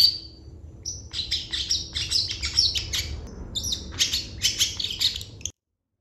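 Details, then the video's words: Long-tailed shrike singing lively and packed with imitated phrases: a thin high whistle, then a fast jumble of sharp, high chirps and scratchy trills with a few clear whistles, ending abruptly, over low background hum. "CENDET GACOR FULL ISIAN"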